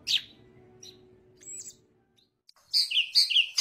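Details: Yellow-headed greater green leafbird singing with spread wings; a few scattered high chirps and a whistled note, a brief silence, then a loud burst of rich alternating warbled notes.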